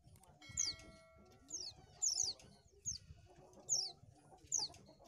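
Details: Oriental white-eye recording used to lure birds: thin, high descending whistled notes given singly or in pairs, about six in five seconds, over faint low clucking and rustling in the background.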